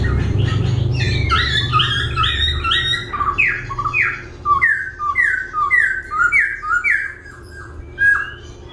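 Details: Laughingthrush singing while dancing, switching voices continuously: loud series of clear downslurred whistles and rich chirps, delivered in rapid repeated phrases with brief pauses, in a quiet indoor setting.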